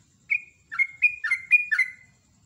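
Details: Sooty-headed bulbul in lively morning song, a loud run of bubbly whistled notes near two kilohertz, each a short slurred phrase, six notes in quick succession, clean background.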